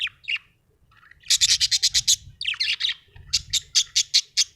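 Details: Pet budgerigar described as happy, chirping: short scratchy notes, then a rapid run of bright, evenly spaced chirps, a pause, and another quick chirping burst, with faint low rumble beneath.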